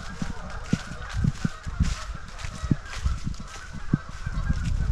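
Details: A large flock of geese calling together at a waterfowl resting refuge in Shabbona Lake State Recreation Area. Dense, overlapping nasal honks run continuously over a steady background hiss, with low thumps underneath.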